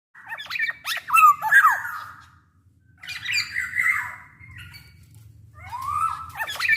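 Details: Black-naped oriole in full voice, a large-bodied bird, with calls meant as a lure to make other orioles sing: nasal, squawking phrases with rich overtones, slurred and dropping, in two bursts separated by a short pause.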